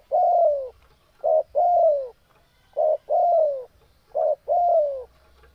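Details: Spotted dove in breeding condition, cooing steadily in three paired phrases. Each begins with a brief coo and then a longer note that falls in pitch, with short gaps between and a quiet background.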